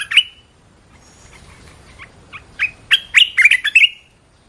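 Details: Single red-whiskered bulbul call note, then scattered soft chips building into a lively warbled phrase of rapid, bright, slurred whistles near the end.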